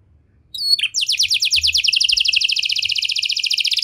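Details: Cengkok mewah canary song: a short whistled note, then a long, even, very fast trill of bright chirps lasting about three seconds.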